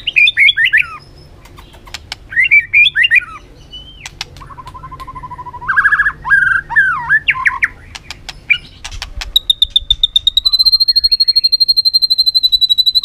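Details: White-rumped shama singing varied forest-style phrases: scattered twisting whistled phrases with pauses and clicks, a level buzzy passage, then a long sustained pure whistle with pulsing overtones; quiet low background rumble.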